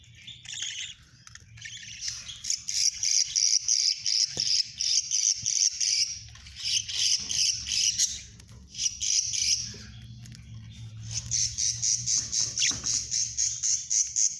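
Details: Budgerigar chicks calling: dense, rapid, buzzy chattering in long runs, with brief pauses between bouts.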